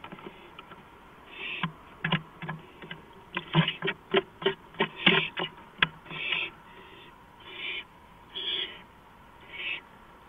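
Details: An owl on a porch at 2:05 AM on April 5, 2015: a burst of rapid clicks and taps for several seconds, then a run of harsh, hissing screeches evenly spaced about once a second.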